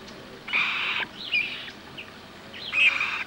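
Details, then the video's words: A Common moorhen during mating at a wetland in central France, 27 April 2012, with three-week-old young of the first brood nearby, gives three harsh, raspy half-second bursts, loud and grating, over faint background hiss. "GALLINULE Poule d'eau/Accouplement/Gallinula chloropus ! BRUITX"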